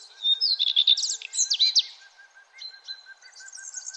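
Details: Birds chirping at sunrise, early morning, with loud varied chirps and quick sweeping whistles for two seconds, then softer thin notes, while a steady soft pulsing tone repeats underneath throughout.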